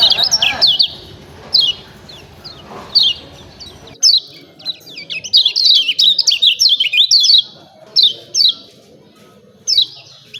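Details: Lemon-bellied white-eye in "ciak ciak" mode, played to trigger song in other birds. High chirps come in short bursts, noisy at first, then clean with a busy rattling run in the middle and scattered single notes.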